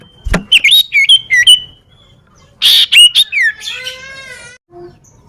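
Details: Common iora singing in a garden near a home: quick bright chirps and short whistled notes, some rising and falling, in two bursts, ending in a lower drawn-out buzzy note with a faint soft note after.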